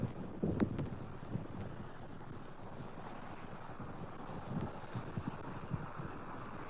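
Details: Steady outdoor wind rumble buffets the microphone, with a few low thumps and no animal calls.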